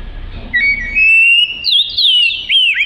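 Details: Oriental magpie-robin delivering a long, pure, slowly rising whistle followed by a few quick twisting whistled notes, with soft low rumble in the background.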